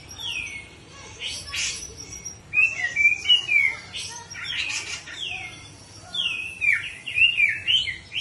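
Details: Grey-cheeked bulbul singing in the ngepik siul style, giving clear descending whistles and twisting slurred phrases separated by brief buzzy bursts, repeated in loose bouts about twice a second, with soft background noise.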